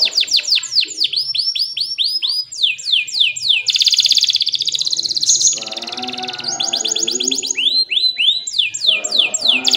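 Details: Canary in lively song, offered as a master song for young canaries and to prompt quiet ones to sing: fast repeated high upslurred whistles, buzzy rolling trills, rattles and chatter, with lower warbled notes midway.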